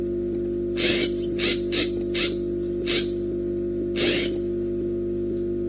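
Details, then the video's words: Peregrine falcon at a nest camera in Orange, New South Wales, screeching: six harsh, rasping, broadband cries spaced irregularly over about five seconds, the last one longest, over a constant electrical hum. "Perry screeching"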